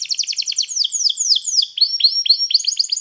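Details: Canary song played to train canaries and call others to sing: quick repeated chirps about four per second, then slower downward-sweeping whistled notes, then rising slurred phrases.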